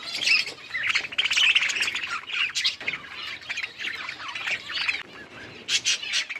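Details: Budgerigars enjoying winter rain produce lively warbled chirps and squawks, loudest early, then broken chattering with sharp clicks.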